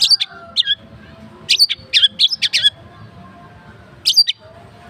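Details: Wild white-rumped shama delivering sharp, high chirping notes in quick clusters of two to four, separated by short pauses, over a faint low rumble.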